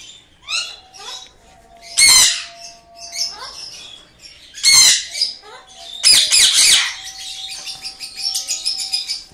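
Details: A pet blue ringneck (rose-ringed) parakeet gives three loud, harsh screeches among softer chirps and chatter, with a faint steady hum behind.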